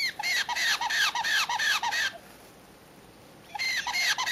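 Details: Caique chicks screaming from their brooder at night for a feeding: rapid runs of shrill, arched squeals, several each second, a pause of over a second, then the burst starts again.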